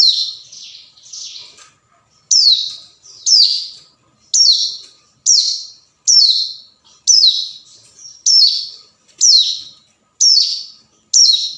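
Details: Hill prinia calling a rival, a recording used as a lure: a steady series of bright, high notes that drop sharply in pitch, repeated about once a second after a few softer opening notes.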